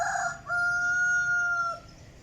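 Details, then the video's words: Decoy chicken giving a single long, steady, tonal call lasting over a second, held at an even pitch with a flat ending, against quiet background hum. "ไก่ต่อขื้นใหม่_qaib poj qaib tshiab"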